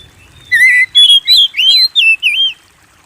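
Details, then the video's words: Kept-bird training song of a white-rumped shama: six loud whistled phrases, each a wavering, slurred note, delivered steadily one after another over two seconds, with a quiet background. "Pancing Burung Kacer Gacor"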